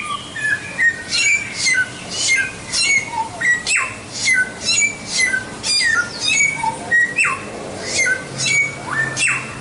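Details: White-rumped shama in sustained song, a long run of crisp whistled notes and sharp chips, with repeated downward swoops, pulsing in rapid bursts of about two per second.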